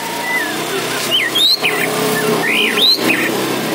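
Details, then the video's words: Orange-headed thrush song used as a lure to draw answers from other birds: clear whistled phrases, some swooping up and down, others looping, over steady background hum and noise. "PANCINGAN ANIS MERAH MACET BUNYI"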